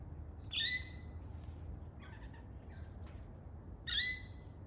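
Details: Two raucous, grating screeches from a native Australian lorikeet parrot, roughly three and a half seconds apart, with a few faint softer chirps in between over a low steady background hiss.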